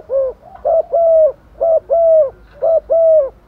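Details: Female spotted dove luring males in the rainy season, giving three quick phrases, each a short coo followed by a longer, slightly falling coo, evenly spaced about once a second.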